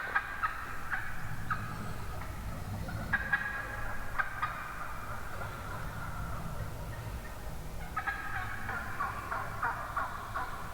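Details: Among a big flock of wild turkey hens on a woodland morning, repeated nasal yelps come in short runs, several hens calling over one another, against low rumbling ambient noise.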